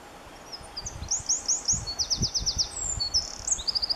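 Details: Male Eurasian wren singing in the Oliwa forests: a rapid, high, tinkling run of sharp trills and fast repeated notes that keeps going for the whole four seconds, over a low rumble of background noise.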